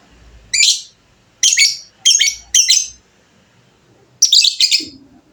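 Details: A fighter lovebird sings its long 'ngekek' chatter as short, strident bursts: one, then a quick cluster of three, then a doubled burst after a pause. A faint low murmur closes the clip.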